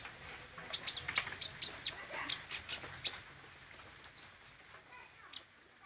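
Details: Kolibri ninja, the olive-backed sunbird, singing vigorously while displaying learned song phrases: a string of piercing high-pitched chirps roughly twice a second, then fainter, softer high notes.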